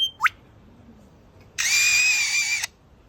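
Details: An Australian lyrebird calling toward a person gives a quick upward whistled swoop, then a steady, buzzy, electronic-sounding tone held for about a second, like an imitated mechanical beep.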